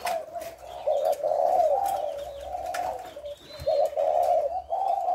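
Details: Spotted dove giving thổ lối style coos, dated 18 September: low, mellow hooting notes in grouped runs, a clear pause mid-clip before the next run of coos, faint high chirps of other birds behind.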